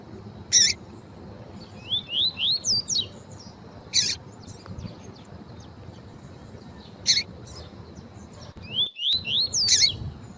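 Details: Male lined seedeater singing with a female calling, used to rouse other males: quick series of three or four rising, high whistled notes alternating with sharp bright chips, over a faint low hum.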